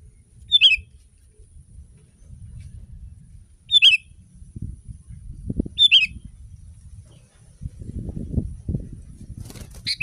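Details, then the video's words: ['Sooty-headed bulbul song used as a tutor recording to get other kept bulbuls singing. Three short, bright whistled phrases come about every three seconds over a low rumble, and a louder rustling noise follows near the end.'] "Masteran kutilang!!!kutilang paling dicari untuk membuat burung kutilang anda langsung ikut berbunyi"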